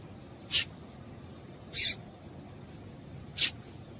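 A female yellow-bellied seedeater gives three short, high, hissy chips, spaced one to two seconds apart, over a faint steady high whine.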